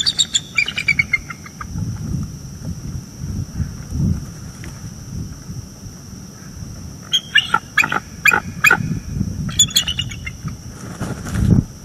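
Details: Bald eagles vocalizing warnings while an owl lingers by their northeast Florida nest after midnight, 30 October 2022, from a live cam. A short chirped series opens, then a loud run of high piping notes later, with quiet low rumble between.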